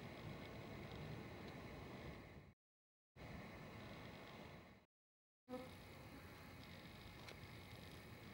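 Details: Steady low rumble of a passing vehicle and broadband outdoor noise, broken by two short drops to silence.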